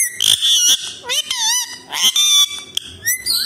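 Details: Talking Alexandrine parakeet, known locally as desi tota or mitthu, giving quick speech-like phrases in Hindi: harsh nasal syllables and bent, whistled glides follow one another almost without break, with a few brief gaps.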